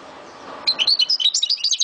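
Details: European goldfinch kept in Souk Ahras, Algeria, breaking into song after a low murmur of background noise: quick bright high chirps and twitters tumbling in an uneven run.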